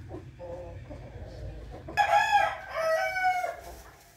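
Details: Morning crow of a rooster on 8 April 2021: after soft low clucks, one loud, rich crow lasting about one and a half seconds, with stepped notes and a falling, drawn-out tail.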